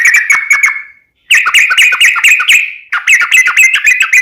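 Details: Sooty-headed bulbul giving rapid rolling chatter, used as a lure so other bulbuls respond: fast, harsh, closely spaced notes in three bursts, the middle one longest at about a second and a half.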